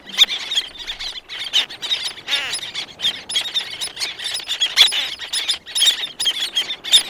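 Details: Several black-naped terns call at close range while more answer from farther off, giving a steady stream of clipped, high, squealing notes, some stretched into brief rasping cries.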